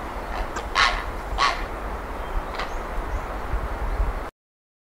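A grey heron gives three harsh, hoarse croaks, each brief and spaced about a second apart, over a steady low rumble of wind or distant traffic.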